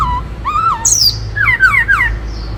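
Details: Black-throated laughingthrush singing a varied wild-style song of many voices: clear whistled notes, a rising-falling slur, a high downward sweep, then quick descending whistles in a run, over low steady hum.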